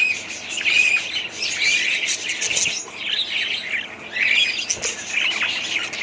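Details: Budgies warbling in waves roughly every second, each burst a jumble of squeaky chirps and clear whistled notes, with a brief dip in the chorus midway.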